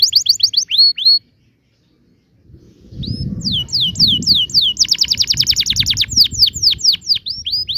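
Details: Canary singing a rolling 'ngerol' tutor song for young canaries: a fast trill, a brief pause, then rapid descending notes and a dense roll over low rumbling background noise.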